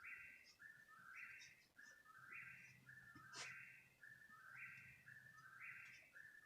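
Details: Bird heard at 3 in the morning, calling for around half an hour: clear two-part whistles stepping up in pitch, repeated about every second, with one sharp click midway and a low steady hum beneath.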